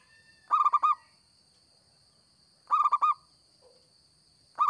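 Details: Zebra dove of local stock, singing vigorously as a trapping lure, gives short clipped phrases of four or five quick bubbling coos, repeated about every two seconds, with a faint low note between and a constant high-pitched hum.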